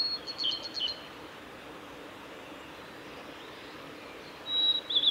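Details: Blue-and-white flycatcher male at Lake Miyagase's Kanazawa forest road, Japan, 17 May 2020: a brief high whistled phrase with rapid trilled notes at the start, long quiet gap, then a thin sustained whistle and short flourish near the end; steady low background noise.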